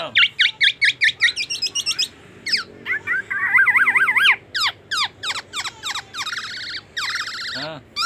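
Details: Black-naped oriole in full song, imitating oriental magpie-robin and an ambulance siren: rapid repeated whistled notes, sliding upward and downward strokes, a rolling siren-like wavering passage, and bright trills.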